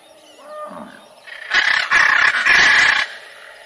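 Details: A few faint, thin notes lead into three strident macaw squawks given back to back, coarse and buzzy, ending abruptly.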